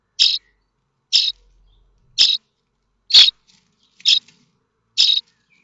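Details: Starling nestlings at Théding, France, May 2024, standing up to beg as a parent seems to arrive with food; six rasping high-pitched bursts evenly spaced about a second apart.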